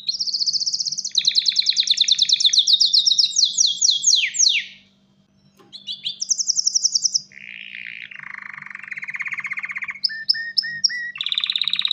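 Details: A male canary ready to breed sings to draw in a female: rapid trills and falling sweeps, a silent pause near five seconds, then buzzy rolls and repeated short whistled notes, with a low background hum.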